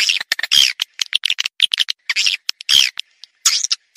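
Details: Swiftlet call played to lure swiftlets: bursts of high, scratchy chattering twitters broken by short silences, irregular and busy throughout.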